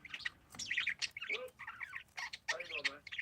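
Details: Several parakeets in a chirping chorus. Dense bright warbles and short chatters overlap, with quick rising and falling notes and a few lower squawky tones mixed in.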